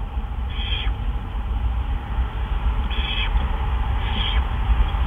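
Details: Owl at the nest hideout, evening of March 31, 2013, during prey deliveries of a gopher and a mouse; three short, raspy screeches spaced one to two seconds apart, fading at the ends, steady low hum behind.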